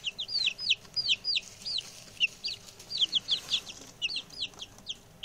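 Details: A group of six young male chicks, newly settled in and chatty, calls with bright, falling peeps in a near-continuous chorus, several birds overlapping, against a faint steady hiss.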